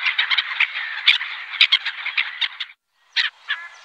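Black-headed gulls give harsh, rasping calls that overlap in a dense, squabbling chatter, then a brief pause before a few more grating notes.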